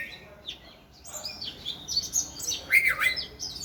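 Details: Oriental magpie-robin singing while dancing, with scattered high chirps and whistles that grow into a louder rapid burst of sweeping, looping whistled notes near the end, against a faint background hiss.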